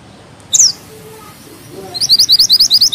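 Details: Bushchat of a mountain form singing energetically: one sharp high downslurred note, a short gap, then a quick, evenly spaced series of bright high chips rolling together.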